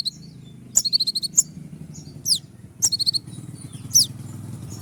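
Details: Konin, a kept songbird in moult, uttering high sharp chips, short runs of piping notes and falling whistles, over a low background rumble like distant traffic.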